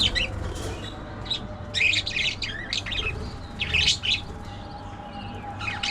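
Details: Budgie chatter in loud, buzzy, raspy bursts of warbled squeaks, grouped into clusters with brief pauses between them, over a faint steady hum.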